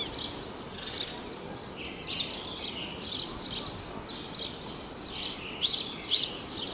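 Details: Wild house sparrows (Passer domesticus) at Praia de Pipa, Tibau do Sul, Rio Grande do Norte, Brazil: soft chirping that builds to a few sharp, louder notes near the end, irregularly spaced, against low ambient noise.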